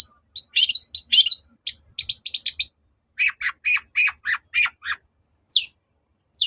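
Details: Long-tailed shrike (cendet) song used as a lure to make another bird reply: rapid chattering phrases, then a row of lower harsh notes, followed by two isolated downslurred whistles.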